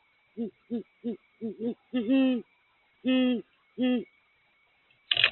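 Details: Great horned owl hooting at a nest at night, where a mature female (higher-pitched hoot) and a smaller immature male (low-pitched hoot) were present: five quick soft low notes, then three longer drawn-out hoots, with a faint high whine and a final click.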